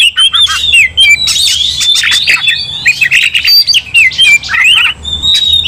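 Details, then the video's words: Aggressive kacer (Oriental magpie-robin) in a fighting song, prompting other kacer: loud chattering whistles with quick up-and-down slurs and clicks, rapid phrases separated by short breaks. "Kacer langsung TARUNG bongkar emosi bikin kacer lain ikut dongkrak amarah"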